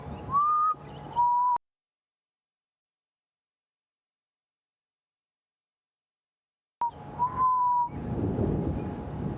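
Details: Black cuckoo perched in a marula tree in a camp courtyard, calling non-stop around 3:30 am for about half an hour: short, mournful mid-pitched whistled notes ('I'm so sad'), the last slurred upward, in two bursts, with rustling background.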